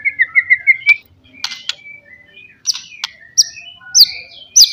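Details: White-rumped shama song used as a lure to provoke rivals: a quick run of five rising whistled notes, then sparse sharp chips and short bright whistles with gaps between phrases.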